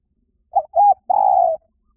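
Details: Spotted dove voice used as a bird lure: a clipped short coo, a rounded second coo, then a longer steady, slightly descending coo, low-pitched and clear with a quiet background.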